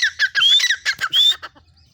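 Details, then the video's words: Female grey francolin calling: loud harsh squawking notes in quick succession, with two clearer whistled notes that rise and slur upward, then a fading tail of quieter sounds. "female tettar ki awaz"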